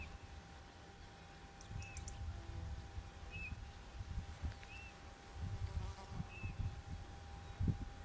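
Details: Eurasian bullfinch, filmed by digiscoping in the hottest hours of the day, giving soft, short, slightly falling piping notes every second or so, over a low rumble of wind and buzzing insects.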